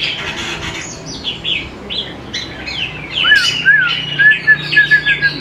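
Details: Greater green leafbird song played as a lure to get young leafbirds singing: a string of short slurred whistles sliding down, then clearer rising and falling whistled notes repeated quickly near the end, over a low hum.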